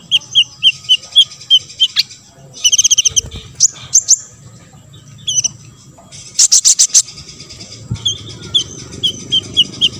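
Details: Song of an olive-backed sunbird, used to provoke other sunbirds to sing: evenly spaced sharp high notes, then short rattling buzzy bursts and a further run of clipped high notes, with light background music.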